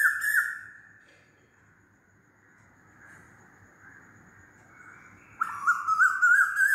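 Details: Asian koel calling loudly: a whistled note fades at the start, a quiet pause with faint distant calls follows, then another loud wavering, rising whistle begins.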